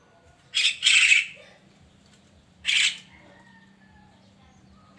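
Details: Javan myna singing in the morning: a doubled burst of harsh, noisy squawks followed by a single rasping note, with a faint low steady hum beneath.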